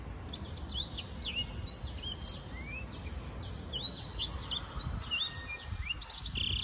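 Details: Young Black-throated canary, six months old, in song: a busy run of high, sliding whistles and short sweet notes, some rising and some falling, over steady low background rumble.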